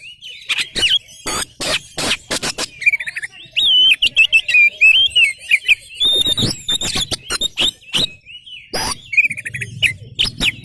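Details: Oriental magpie-robin, a 'kacer gacor' in full song with tail spread, used as a lure to provoke other magpie-robins into answering: fast varied whistled phrases around high pitch, interspersed with loud sharp clicks and harsh broadband bursts.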